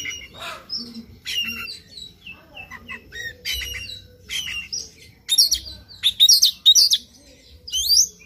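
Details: Oriental magpie-robin in morning song used to provoke a rival into singing: scattered chirps and whistles building into loud, dense, buzzy high-pitched phrases toward the end, faint low hum throughout.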